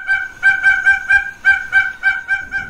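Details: A double-striped thick-knee (alcaraván), a bird of south-eastern Mexico, recorded at a house in Juchitán, Oaxaca, in 1997–1998, gives loud, nasal, honking notes, about four per second in quick cackling runs.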